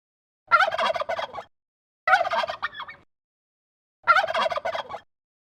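A turkey gobbles three times, each a rapid, rattling burst about a second long, spaced roughly every one and a half to two seconds.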